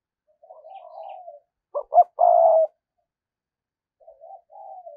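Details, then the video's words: Lure spotted dove giving 'thúc gù' coos: a soft murmuring coo opens, then two clipped loud notes and one long, steady coo, then quieter trailing coos. No other sounds are clear. "cu gáy mồi cây thúc gù bài bản"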